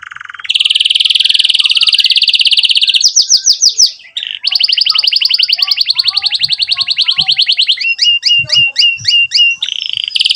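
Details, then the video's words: Canary in energetic song, alternating long rapid rolling trills with bursts of sharp repeated chips and short swooping notes, played to stimulate young canaries to learn song and to restart canaries that stopped singing. "Kenari Gacor Cuit Cuit EMOSI, Perangsang Kenari Paud Belajar Bunyi dan Terapi Kenari Macet Bunyi"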